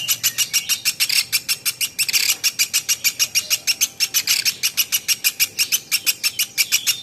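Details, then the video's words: Platuk beras woodpecker in a training recording for songbirds, delivering a continuous series of sharp chattering notes at a brisk, even rhythm of about three per second. "PLATUK beras masteran"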